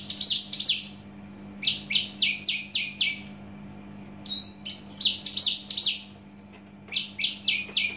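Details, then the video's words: Javan bush lark from Java singing fast, loud phrases: series of four or five quick descending buzzy notes repeated in bursts, mixed with twisting whistled slurs and a steady background hum. "branjangan javanica asli jawa volume dan spedd edan mantap"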